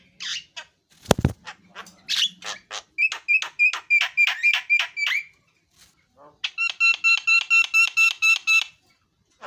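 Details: Javan myna song with a single sharp knock, then a fast even series of short ringing notes, a pause, and another quick regular series of bright notes.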